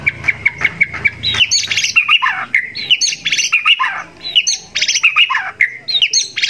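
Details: White-rumped shama contest song with mimicked garden-bird phrases, used as training song: a fast, varied run of bright whistles, chirps and buzzy rasping notes, first a row of short even chips, then tumbling rising and falling phrases.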